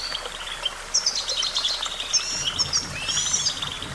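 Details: Brief goldfinch song of quick high twitters and liquid trills, louder toward the end, over a light low rumble.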